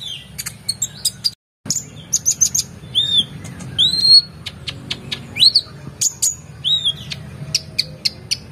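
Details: Oriental magpie-robin singing energetically in a recording for training competition songbirds: sharp high chips and clicks mixed with rising and falling whistled slurs, with a brief gap in the sound and a low hum beneath.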